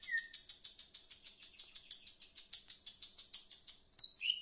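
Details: A soft rapid ticking rattle, around four clicks a second, runs for several seconds from a leafbird before louder, sharp whistled notes break in at the end.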